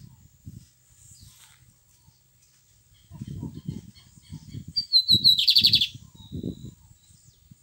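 A Lined seedeater gives high, thin chirps that build to a quick, buzzy trilled burst near the end, over soft low thumps and background noise.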